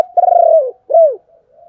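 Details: Spotted dove giving the low 'chìm' cooing used to lure wild doves: a long, vibrating, slightly falling coo followed by a shorter downslurred coo, then a faint soft trailing note.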